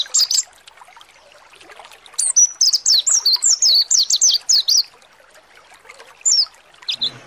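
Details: Mountain white-eye lure song, pleci monty, used to excite birds into singing: a brief chirp, a pause, then a fast rolling sequence of high descending whistles, followed by scattered single chirps.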